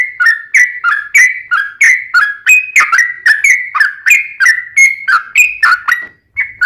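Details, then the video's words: Sooty-headed bulbul used to lure other bulbuls into answering: an unbroken run of loud whistled notes, several falling in pitch, about three per second, with a short break near the end. "SUARA trucukan gacor tarung ROPEL PANJANG pancingan trucukan agar bunyi JADIKAN trucuk gacor NYAUT"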